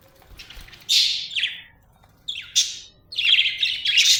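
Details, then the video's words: Cheerful budgerigar chirping: three groups of high, buzzy warbled notes, the last burst longest and most rapid, with short silences between. "happy budgie chirping sound"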